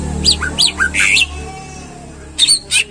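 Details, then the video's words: Greater green leafbird, caged, singing to prompt other caged birds to sing: bright whistled notes sweeping down from high pitch, several quick phrases, then a pause and more sharp whistles, over a steady low hum. "Pancingan Cucak Ijo Biar Rajin Bunyi Dan Gacor"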